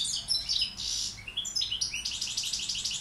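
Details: Balkan goldfinch tutor bird, with a mix of high liquid twitters, a short buzzy burst and a fast run of tinkling notes.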